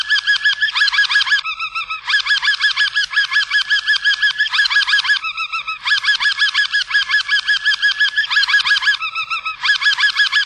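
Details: A canary, described as a Harz Roller, sings rolling trills in one-to-two-second bursts, shifting between higher and lower tours. These may include the schokkel, an interrupted tour of slow, jerky notes with wide gaps between tones.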